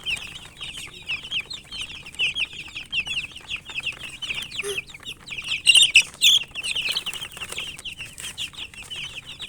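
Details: Chicken chicks chirping during feeding, a fast continuous chorus of high peeps with a loud burst of nearby calls near the middle and occasional pecking knocks.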